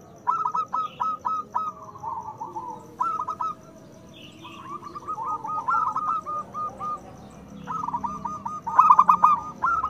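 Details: Zebra dove, a local bird singing strongly, played as a lure for doves that seldom sing: strings of clipped, rhythmic coo notes grouped into phrases, ending in a louder burst.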